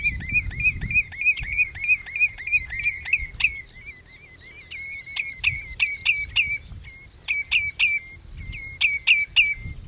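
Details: Common redshank at Ochsenmoor, Hüde, 27 May 2018, 07:10, captured with a Panasonic Lumix GH5: fast ringing high piping notes in a steady stream, then a brief pause and broken bursts of two or three sharp notes with thin whistles between.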